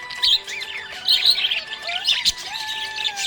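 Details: Happy budgerigar giving chattery, warbled chirps and short rising twitters in irregular bursts, with background music holding long steady tones beneath.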